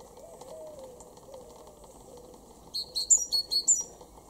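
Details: A great tit in a garden in Weener, East Frisia, northwest Germany, in April 2021 gives a quick burst of about six sharp, high chinking notes, preceded by faint low cooing in the background.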